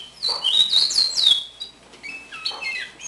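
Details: A one-year-old captive house finch (Carpodacus mexicanus), taken from the nest as a chick, sings a bright, warbling phrase of slurred high notes, first rising then falling, followed by a second choppier run, while a young brown-backed solitaire warbles in the background.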